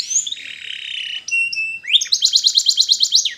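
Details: Canary song played for training canaries: a long buzzy whistled tone, then short clear notes, then a fast, even trill of rising-falling syllables repeated about three times a second near the end.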